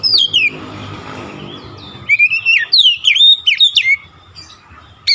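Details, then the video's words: Oriental magpie-robin in persistent song, showing off its repertoire: a falling whistle, a stretch of low rumbling background noise, then a lively burst of sharp whistled slides and chirps. "KACER NGOTOT BONGKAR ISIAN"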